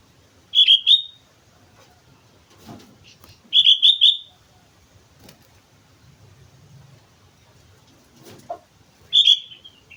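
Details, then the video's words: Energetic song of a sooty-headed bulbul at Mount Slamet: short bubbly phrases of two to three whistled notes every few seconds, with light clicks and rustles between. "suara burung kutilang gacor gunung slamet"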